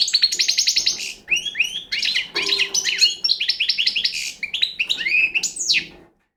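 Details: Young Balkan European goldfinch singing: fast repeated trill opening, then bursts of liquid twitters, buzzy notes and a final upswept phrase, delivered close and clear before ending in silence.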